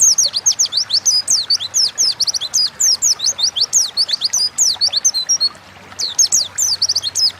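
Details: Oriental white-eye singing hard in the ngalas style, used to tutor and lure songbirds: an almost unbroken stream of shrill, quick, downslurred chirps and twitters, with one brief pause near the end.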